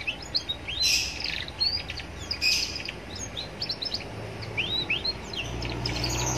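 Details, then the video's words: Young canary singing with roadside ambience, played to provoke other canaries to respond; clear whistled upslurs and sharp chirps come in irregular phrases, over a steady low rumble of nearby traffic. "Pancingan kenari paud biar bunyi"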